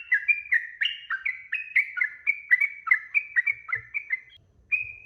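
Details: A sooty-headed bulbul's long song, played as a lure so other birds respond: rapid chains of whistled, slightly slurred notes in alternating pitches, a short pause, then one final clear whistle; faint low thumps underneath.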